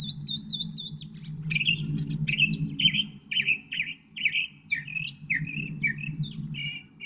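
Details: Northern mockingbird song opening with a quick series of repeated high slurred notes, then varied chattering whistles and squeaky phrases, each note type repeated several times, over steady low background hum.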